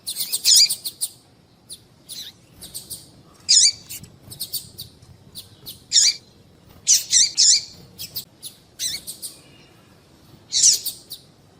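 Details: A female Double-collared Seedeater's call, used to excite males for breeders' calling tournaments: short, high, thin chirps, single or in quick pairs, spaced irregularly every second or two against a quiet background.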